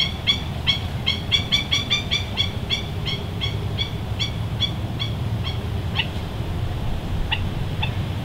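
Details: Hawaiian stilts, ae'o, Himantopus mexicanus knudseni, calling on the shoreline at West Loch Shoreline Park, Pearl Harbor, Oahu, low tide, March 16, 2013; quick run of sharp, ringing kek notes, several per second, slowing and spacing out, over low background rumble.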